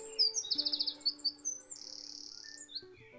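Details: Eurasian Wren singing from dense woodland understory in England in May, cold but sunny: a loud, high, rapid outpouring of sharp notes, including a quick trill and a long buzzy rattle, over faint background music.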